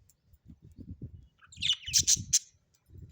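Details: Domestic budgerigars giving a quick string of bright, high chirps and squeaks, about four per second, over a background of soft low thuds.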